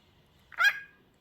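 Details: Pet talking bird indoors answers a person asking "how are you" with one short, bright, voice-like squawk under a second long, rising then falling. Human speech comes just before and after in a quiet small room.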